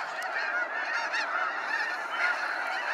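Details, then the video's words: Snow geese flying out at sunset from Sacramento National Wildlife Refuge in waves, many birds honking together in a steady, thick wall of high nasal yelping. "Waves of Snow Geese Sunset Fly-out"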